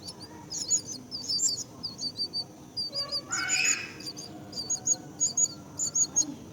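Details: Myna at the nest caring for its young: rapid series of thin, high chirps in short bursts, with one broader, harsher squawk midway and a faint low background hum.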